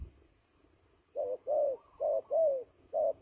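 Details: Fighting turtle dove used for trapping, starting after a second of near silence, then delivering five rounded coos, short then longer, in two quick pairs and a final note.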